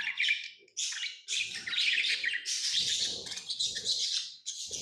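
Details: Pet lovebirds giving continuous shrill chirps and squeaky chatter, overlapping bursts with short gaps, plus soft low thumps in the background.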